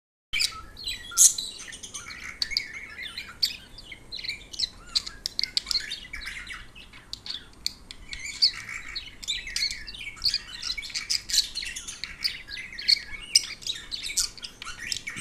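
Budgerigars chatter in a steady stream of bright chirps, clicks and warbling squeaks.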